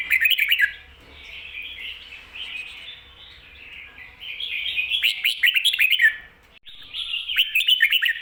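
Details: Song of a red-whiskered bulbul in the Thai 'double' style, for teaching caged birds: loud chirped bursts at the start, a quieter warbling stretch, then repeated sharp downslurred notes and a final chirping phrase.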